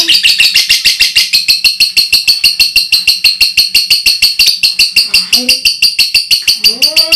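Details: Loud lovebird ngekek used as tutor material for training birds: a long, even string of piercing, rasping chirps repeated about three times a second, with faint low voice-like bursts late in the run.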